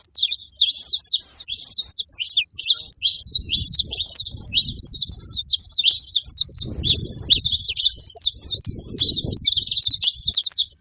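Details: Wild saffron finches, a male and a female, deliver a long, hurried stream of sharp high chirps and trills, repeated more than twice a second, over faint low murmuring sounds in the background.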